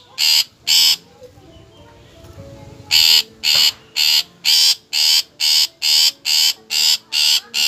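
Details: Long-tailed shrike (cendet) giving two grating buzzy notes, a brief pause with faint soft sounds, then a steady series of harsh rasping bursts about twice a second.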